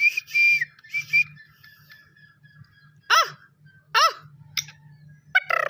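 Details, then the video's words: Young black francolin of a good breed, calling for the first time. Loud sustained whistles at the start, then two rasping downward-bending bursts about a second apart, followed by sharp high chirps, over a low background hum. "Bhot Achi Nasal ka Patha Pehli Bar bolai karty howy"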